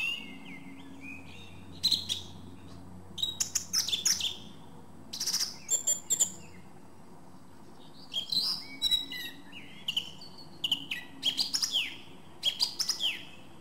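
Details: Song thrush (Turdus philomelos) in full song: loud, varied bursts of piercing whistles, clicks and chattering notes in separate phrases with short pauses between them, against a quiet low background hum.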